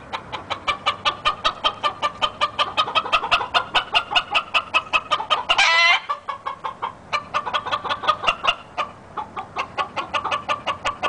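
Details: Stag red junglefowl, YellowLyon strain, from a breeding stock in India: a long, steady string of loud, clipped clucks, nearly three per second, broken near the middle by a short high squeal before the clucking continues.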